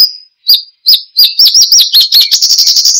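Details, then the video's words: Horsfield's bush lark in full song, played as lure and tutor for caged birds. Separate arched whistled notes start slowly, then speed into a rapid, rolling run of repeated chirps. "Kicau Burung BRANJANGAN Gacor, Untuk Pancingan Dan Masteran"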